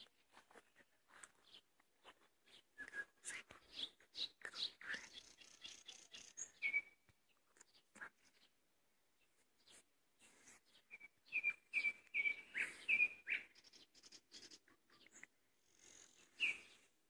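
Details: Common nightingale song in May, a varied run of rapid clicks, whistled notes and buzzy phrases, a short lull, then a loud series of repeated trilled notes before a final whistle.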